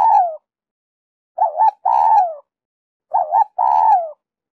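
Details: Lure song of a spotted dove in the Giọng Kim 2 hậu style, for calling in wild doves: repeated phrases of a wavering double coo and a longer, descending, hollow coo, roughly every one and a half seconds.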